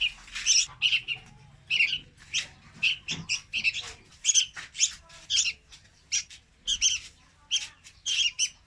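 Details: Young red-whiskered bulbul song used for trapping. A long, dense stream of chirps and harsh squeaky notes comes in irregular clusters with very short gaps, fairly even in loudness.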